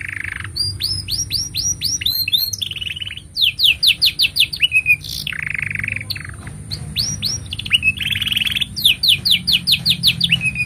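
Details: Long canary master song for tutoring young canaries and prompting silent ones: rapid repeated upward-sweeping whistles in runs, interspersed with dense buzzy trills and rolling phrases, continuous throughout, faint low hum in background.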